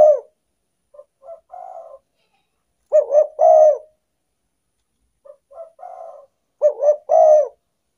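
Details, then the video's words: Spotted dove lure call played to attract wild doves: low, soft cooing phrases, a few quiet introductory notes leading to a louder double coo, repeated about every four seconds. "derkuku pikat paling ampuh"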